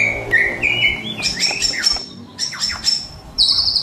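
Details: White-rumped shama of the Medan type, in full varied song with mimicked phrases, played to train birds in the morning: clear whistles near two kilohertz give way to high, sliding notes and bright sustained whistles, with faint background noise.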